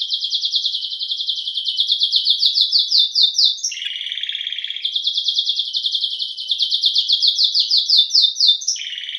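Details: Belgian canary (canário-do-reino) song: long runs of rapid high pulsed notes alternate with brief lower rattling trills, the phrases changing every few seconds in a continuous, energetic performance.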